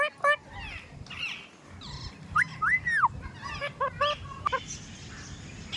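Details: Talking parrot producing clipped speech-like syllables and chirps, with a clear arched whistle that rises then falls in the middle, then short repeated notes and a faint background hiss.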